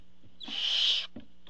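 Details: A single rasping, breathy screech of about two-thirds of a second from a barn owl at the nest as the father brings a meal, with soft knocks before and after.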